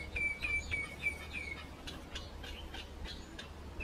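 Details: Mynas singing to each other: a run of short, high whistled notes at an even pace, each dipping slightly, followed by quick harsh chirps and clicks, all over a steady low hum.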